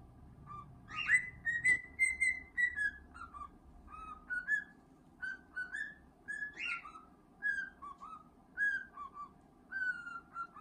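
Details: Cockatiel kept as a pet sings while being scratched: a long series of clear whistled notes, some sliding upward then stepping down, grouped in repeated phrases about once a second, with a faint knock early on.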